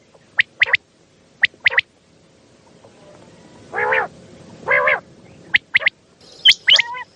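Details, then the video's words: Common quail at night, a recording used to lure quail for hunting: two quick triple-note bursts, then two drawn-out nasal harmonic calls and more scattered sharp notes. "Raat Ka Batair |Hunting | की आवाज़ | Bildirçin səsi | رات کو بٹیر جمع کرنے والا والیوم"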